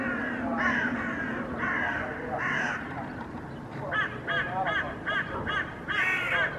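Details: Hooded crows mobbing a common raven that carries pieces of a feral pigeon in a Helsinki park, Finland, on 8 May 2024. Harsh, drawn-out caws come first, followed by a rapid series of short, clipped, nasal calls.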